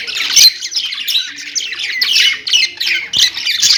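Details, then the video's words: Kept budgerigars warble and squawk in quick scratchy phrases, with bright chirps tumbling over one another in close succession and a rough squawk near the start. "parakeet chirping sounds| budgie sounds"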